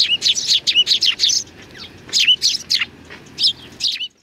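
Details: Sparrows gathering to greet at a shrine feeder on 3 July 2020: a flock's rapid, high chirps in bursts, several overlapping short notes, then scattered single chirps with brief pauses between.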